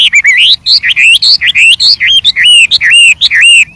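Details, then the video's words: Varied song of a wild white-rumped shama: loud, looping whistled phrases that swoop upward, delivered in an uneven stream of rich notes with bright high overtones. "suara Burung Wambi Gacor Variasi Banyak dialam liar"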